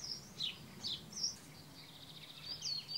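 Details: Male Brambling giving thin, high chirps and short sliding notes, scattered over three seconds, faint against a quiet rural background.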